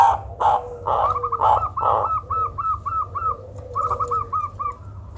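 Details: Zebra dove giving a call described as strange and said to suit luring other birds: a few loud, blurred opening coos, then a quick run of short, bright, arched notes repeated about three per second, with a steady low hum underneath.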